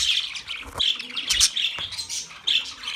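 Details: Pet budgerigars chattering: rapid high warbling chirps with brief squawky notes, overlapping voices in steady lively chatter.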